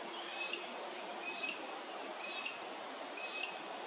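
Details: Comb-crested jacana at Hervey Bay, Queensland, giving four thin, high, squeaky notes, about one each second, over a steady background hiss.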